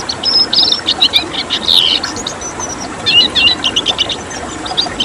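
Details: Red siskin, a rare protected bird, singing in the tembakan style: dense, fast high twittering with sharp chirps and short whistled trills in quick bursts throughout, over a steady low hiss.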